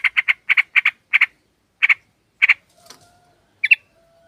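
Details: Calling female sooty-headed bulbul, recorded to lure males: quick string of harsh chatter notes in pairs and triplets, slowing to single spaced bursts, then a faint softer note and a final brief double call.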